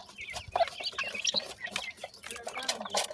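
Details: Yellow partridge chicks peeping busily while fed, thin high chirps half buried in loud broadband rustling and scraping.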